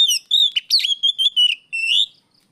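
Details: Afternoon song of an Oriental magpie-robin, used to draw out and train other birds; a rapid string of bright whistled notes and short warbles, some sharp and strained, delivered almost without pause before ending on a longer rising phrase.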